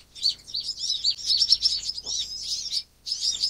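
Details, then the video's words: Van Hasselt's Sunbird (Leptocoma brasiliana) giving a rapid run of thin, high twittering notes, nearly continuous for almost three seconds, then resuming after a brief pause. "紫喉藍肩花蜜鳥(藍肩紫喉花蜜鳥)/Van Hasselt's Sunbird"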